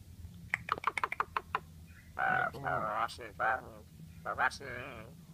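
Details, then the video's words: Asian pied starling copying human speech: quick ticking clicks open the clip, followed by longer voice-like, warbling vowel sounds in uneven bursts, some rising and falling like talking, with faint background hum. "Jalak suren gacor Unik meniru suara orang"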